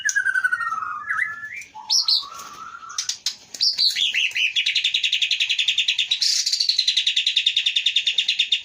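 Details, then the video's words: White-rumped shama from the Leuser mountains of Aceh, a forest-caught captive bird, singing loud, varied whistles that slide down and up, followed by a long, fast, evenly pulsed chattering trill. "Murai batu Aceh Leuser Pining"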